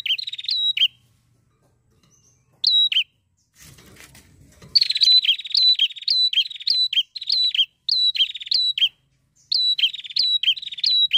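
A prinia sings rapid, sharp chirping phrases, high and metallic, repeated in quick bursts with brief pauses; a short rustle is heard near the start.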